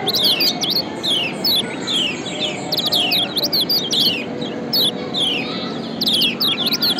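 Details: Lombok yellow white-eye song intended to lure other birds into singing; clusters of quick descending whistled notes separated by brief pauses, over steady low background noise.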